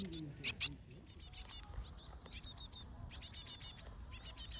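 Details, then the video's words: Baby Asian tits (Parus cinereus) giving high, thin, rapid chattering calls in dense bursts repeated every half second or so, seemingly several chicks at once, with a brief low voice at the start and a steady low rumble behind. "Cute Baby Birds (Parus Cinereus / Asian Tit 박새)"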